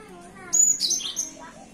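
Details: Cinereous tit in the morning giving one brief burst of high, piercing whistled and chirping notes, over a soft low background murmur.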